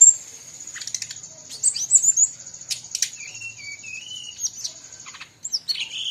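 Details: Brown-chested jungle flycatcher from Bali in busy song among other birds. A drawn-out, wavering whistled phrase follows scattered chips and ticks, ending in a harsh burst. A faint high steady tone lasts throughout.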